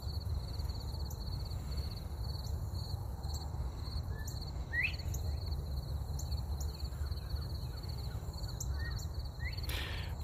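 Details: A northern bobwhite in bushes under an oak tree, just after sunrise, gives a few clear, upward-sweeping whistles, answered by another about 100 yards away, faint against a steady high insect drone and a low wind-like rumble.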